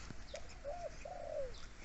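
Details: A deep-voiced Spotted Dove calls during a hunting trip in the mountain forest of Tak province, Thailand. It gives a short low coo, then a second, and then a longer drawn-out coo that falls away at the end, with soft background hiss.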